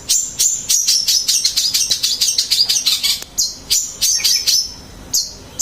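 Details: Long-tailed shrike song: a fast, high chattering of short sharp chirps and buzzy notes, about three per second, broken by brief pauses and a few slurred whistles near the end.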